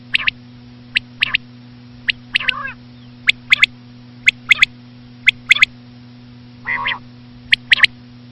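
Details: Female common quail calls: clipped, high, two- and three-note bursts at roughly one-second intervals, broken twice by lower, nasal, wavering notes, with a faint electrical hum underneath.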